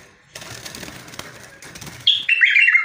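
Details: Bulbul song: after rustling and handling noise, a clear, lively phrase of warbled notes bursts out, stepping down in pitch toward the end.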